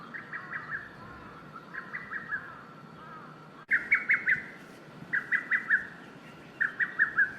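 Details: Lesser cuckoo calling: clipped phrases of several sharp, emphatic notes near 1.5 to 2k, repeated in bursts every second or so, joined from separate recordings with a cut midway and a steady background hiss.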